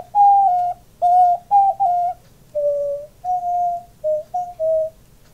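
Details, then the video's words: A male diamond dove kept as a pet coos with its owner, swelling up as it calls: a run of short, clipped, steady-pitched coos, some doubled, then longer lower notes, rhythmic and unhurried in a hushed indoor space. "Diamond dove cooing"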